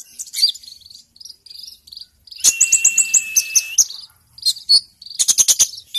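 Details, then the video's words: A sunbird sings in full, fighting form: thin, very high twittering notes and fast sharp trills, with one long steady whistle in the middle and a clicky burst near the end; used as a tutor recording. "Kolibrimu langsung fight dan gacor!!!"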